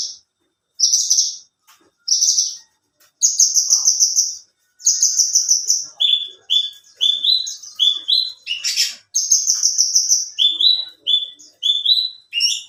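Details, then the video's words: Bush lark (branjangan), alinea type, kept for song contests and singing hard: opening buzzy high bursts give way to a chain of short rising notes pitched lower, delivered in quick succession with brief gaps. "Burung branjangan alinea gacor"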